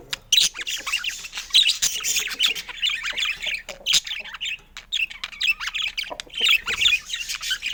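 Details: Budgie warbling in spurts: loud bursts of squeaky, buzzy chatter and sharp chirps separated by short quiet breaks, the phrases coming roughly every second.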